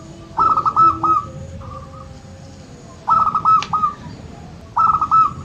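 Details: Local zebra dove, played to encourage quiet birds to sing, delivering three bursts of fast, tumbling cooing notes roughly every two seconds, with soft coos in the pauses and low background hum.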